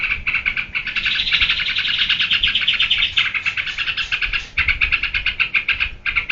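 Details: Sooty-headed bulbul (trucuk) singing in the 'geberan' style: a dense, fast chatter of short notes. It swells into a continuous buzzy run mid-clip, then breaks back into rapid separate pulses.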